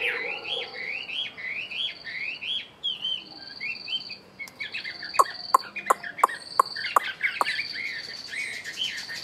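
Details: Caged Chinese hwamei kept one year in a cage, singing loud whistled phrases of rising and falling slurred notes repeated rapidly, then a run of sharp clicking taps over continued song.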